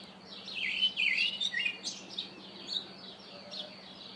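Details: Karoo thrush calling: a run of high, slurred, warbling notes in the first two seconds, then softer, thinner repeated notes fading out over a faint steady low hum.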